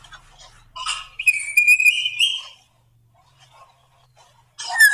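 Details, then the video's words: Male black drongo singing a lure song meant to make other birds sing: buzzy harmonic notes, then a long pure whistle rising slowly, a quiet pause, and a harsh burst at the end. "Burung srigunting kantil hitam | srigunting bukit gacor | pancingan"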